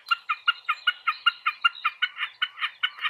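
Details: Spring song of a common snipe: loud, clipped, grating notes repeated in quick regular succession, around five per second, each note with a slightly doubled, ticking quality.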